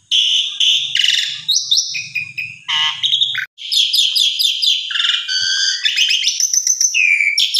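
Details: Asian pied starling song, used to provoke a bird that has stopped singing into singing: a loud, varied jumble of whistles, chattering notes and harsh buzzy phrases, with a low hum underneath early on.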